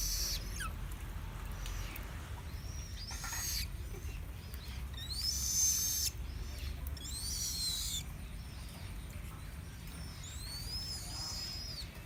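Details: Chinese blackbird delivering varied high whistled phrases, some rising sweeps and some arched double notes, spread through the recording with brief gaps, above a low continuous rumble.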